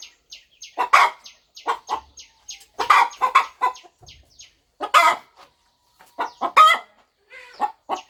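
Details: Mother hen on a farm, settling softly over her nest as she prepares to hatch her eggs, clucking in short bursts, some rising into higher, sharper notes, with brief quiet gaps between groups.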